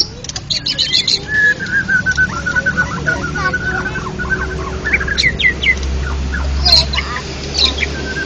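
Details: Contest-winning white-rumped shama singing in the ngeplong style: a long wavering whistled phrase, then scattered high sharp notes, over a steady low rumbling hum.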